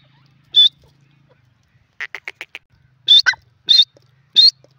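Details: Teetar, the grey francolin of India, calling in an uneven mix: a single sharp high note, a quick burst of five rapid lower clicks, then three louder, strident high notes over a faint low hum.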